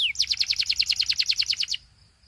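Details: Belgian canary singing to set other canaries off: one falling whistle, then an even, fast series of bright chirping notes, roughly eight per second, ending suddenly.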